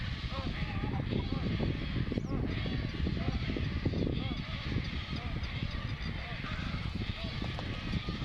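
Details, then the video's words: Painted stork chick at Bharatpur Bird Sanctuary, hungry and crying to its mother for food: rapid, nasal, wavering begging cries repeated without pause, over a dense low rumble of colony noise and other calls. "PAINTED STORK //MOTHER AND CHILD // HUNGRY CHILD CRYING FOR FOOD"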